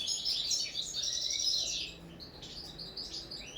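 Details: Caged common linnet singing on the table during its first training session: a dense, continuous high twitter of rapid chirps and trills, brightest in the first half, then softer scattered notes.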